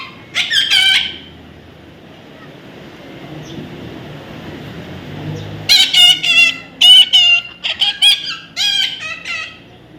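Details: Young parrot during taming, one short burst of raspy squawks, then quiet hum for several seconds before a dense volley of loud, grating, repeated calls.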